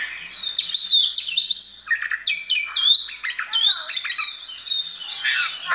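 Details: Oriental magpie-robin, a caged performing songbird, singing a continuous, varied stream of clear whistles, sweeping slurs and rapid chirps, mostly high-pitched with a few lower swooping notes, loud and unbroken for about six seconds with no other sounds.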